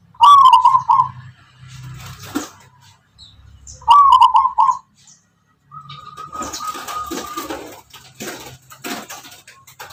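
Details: Zebra dove, a local wild Tuban tangguh type with a characteristic song, giving two clear warbling coo phrases a few seconds apart, followed by a thin steady tone amid clattering background noise.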